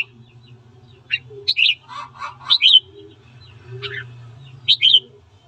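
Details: Red-whiskered bulbul singing in the morning, a training recording meant to rouse a bird to fight: clipped whistled notes and short warbled phrases in scattered bursts, with a low background hum.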